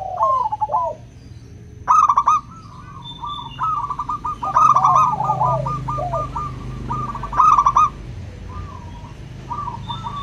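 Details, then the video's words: Zebra dove of local stock singing clearly to encourage doves that seldom sing: repeated rippling coo phrases every two to three seconds, overlapping softer trills in between, and faint low background rumble. "Pancingan PERKUTUT LOKAL suara KRISTAL, untuk memancing perkutut susah bunyi"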